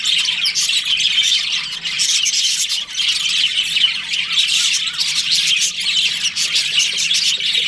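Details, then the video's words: A colony of pet budgies in breeding season: busy, harsh squawky chirps and twittering pour out continuously from many birds, with brief dips in the racket now and then. "Cute budgies chirping sounds"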